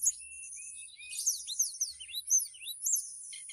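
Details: Mountain tailorbird, a caged bird from Purworejo, Central Java, singing in relaxed flute-like 'nyuling' style to call a female: thin level whistles, then quick high slurred and rising notes, over a steady high insect-like hiss.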